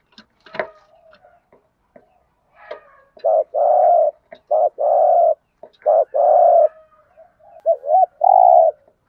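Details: Spotted dove giving the Vietnamese thúc gù cooing style, in a deep giọng thổ voice: low, hollow coos, each a quick double note followed by a long droning note, repeated about five times, with faint clicks and brief noises early on.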